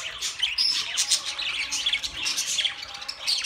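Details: Pet budgies chirping and warbling together, thin high whistles and scratchy notes layered into a lively continuous babble.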